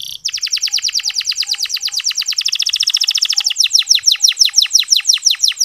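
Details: Soft canary chirping used to encourage male canaries to sing: a long rapid trill of crisp repeated notes that slows into fuller downward-swept chirps.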